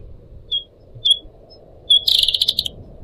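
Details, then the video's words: {'text': 'Caged Pied Triller. Three isolated high whistled notes are followed by a loud, quickly pulsing buzzy trill lasting about half a second, over a faint low background murmur.'} "kicau burung decu kembang"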